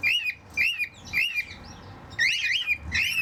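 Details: Charlie, a male cockatiel and the head bird in an aviary flock that sing to each other, whistles arched, rising-and-falling notes about two per second in short bursts, over faint low hum.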